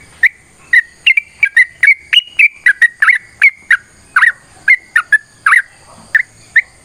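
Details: Sooty-headed bulbul in long fighting song used as a prompt for other birds; crisp bubbly whistled notes, some slurred downward, delivered in an uneven fast series with brief gaps.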